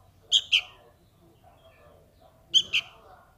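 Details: Young sooty-headed bulbul calling for its parent with two double chirps, each a pair of sharp, high, slightly buzzy notes about two seconds apart, over soft background noise.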